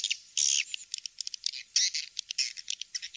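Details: Recorded swiftlet lure call used to attract swiftlets: loud buzzy chirps and quick high twitters in uneven clusters, sharp chip notes between longer rasping bursts.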